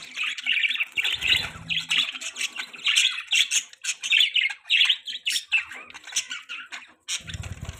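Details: Budgies as pets produce a steady stream of squawky chirps roughly every half second, with low rumbling thumps near the start and end.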